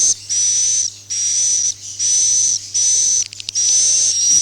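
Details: "Akau ngaji" swiftlet calls: long buzzy high chirps, each nearly half a second long, repeated about once a second with a clear, even whistled tone through them, plus a brief rattle near the end.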